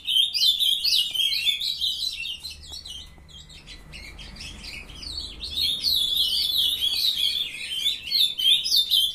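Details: A captive brood of young ultramarine grosbeaks at 7:21 a.m. on 23 June 2020, a brown juvenile starting its song. Loud warbled bursts, a softer gap in the middle, then renewed vigorous overlapping twittering.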